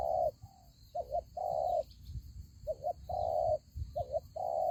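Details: Lure spotted dove in a trap set for wild doves, cooing a fast doubled note then a long throaty purr, repeated rhythmically about three times, with light knocking and a steady high drone behind.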